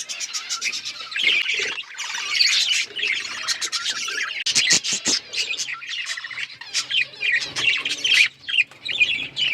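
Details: Budgerigars in a breeding setting chirping: a dense, continuous chatter of scratchy warbles and short squawks, with bright clicks and buzzy notes overlapping throughout, suggesting several birds calling together.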